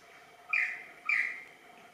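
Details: Superb lyrebird (Menura novaehollandiae) during a practice dance gives two clear, ringing notes about half a second apart, each a bright whistle slurring downward, over a faint steady background hum.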